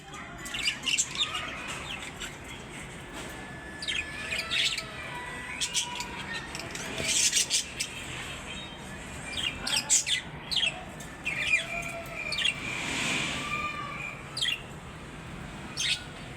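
A cockatiel gives bursts of shrill, chirping calls with short rising and falling whistles.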